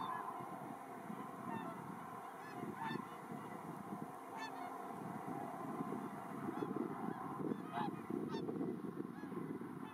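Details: Mixed flock of about 100 Whooper and Tundra swans feeding on fallen rice grains in a one-hectare rice field at Iwanuma, Miyagi, Japan, on 4 December 2023. Scattered honking calls rise over a steady low rumble from a helicopter circling overhead.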